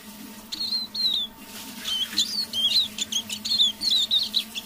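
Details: Caged decoy Eurasian siskin in soft evening song: two descending whistles, a pause, then a lively string of slurred high twitters and chirps, with a faint electrical hum throughout.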